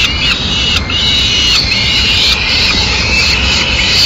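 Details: Peregrine falcons in Madrid, male arriving with a swift to feed the chicks: a run of strained, nasal wailing notes, closely spaced and overlapping, against constant background rush.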